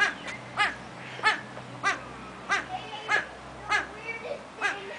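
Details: Captive satyr tragopan at Artis, Amsterdam, giving a run of loud bleating wails roughly every 0.6 seconds, slightly irregular, with faint softer chatter and a low background hum between notes.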